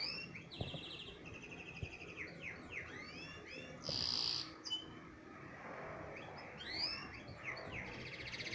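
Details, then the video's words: Canary song used for teaching young canaries to sing: high descending and rising whistled notes, rapid trills and a buzzy burst near four seconds over a low background hum. "تعليم التغريد للعصافير مقنين كناري"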